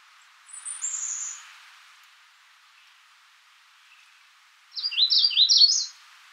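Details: High, thin single note from a magnolia warbler, then after a pause a quick phrase of bright, slurred, rising-and-falling notes, over a faint hiss.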